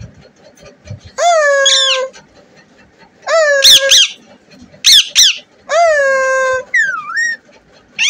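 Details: Talking desi parrot, a native Indian parrot kept as a pet, gives loud nasal harmonic calls in four bursts, some held level and some sharply rising and falling, with short gaps between them and a quiet indoor background.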